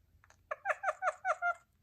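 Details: A male pet parrot chatting with his owner while playing with a new purse-shaped toy; he talks in a clear, voice-like run of about five quick syllables with strong harmonics in a quiet indoor room, likely his version of "have a nice day".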